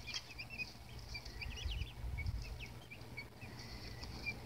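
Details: Baby chicks give faint, scattered high peeps, short chirps rising and falling, over a steady low hum and rumbling background noise.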